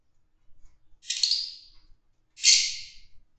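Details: Caged Fischer's lovebirds during mating, two loud raspy screeches over about three seconds, each a broad harsh burst fading out.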